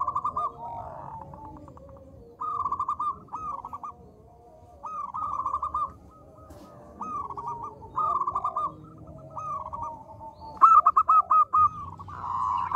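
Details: Small-voiced local zebra dove singing actively, used as a lure to make other doves call: evenly spaced bursts of rapid ringing coo notes, roughly every two seconds, over soft lower curved coos from nearby doves.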